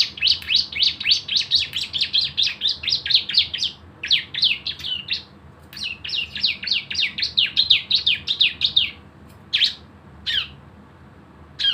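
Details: Javan white-eye in long 'nembak' lure song used to trigger singing: rapid trains of high descending chirps, roughly four to five per second, in three bursts, trailing off into a few isolated notes.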